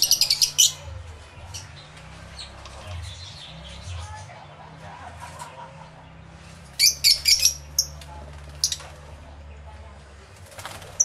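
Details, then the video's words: Lovebirds in an aviary holding many birds, with bursts of rapid shrill chattering at the opening and again around seven seconds, and quieter scattered chirps in between. "Lovebird Sounds Aviary Series V1"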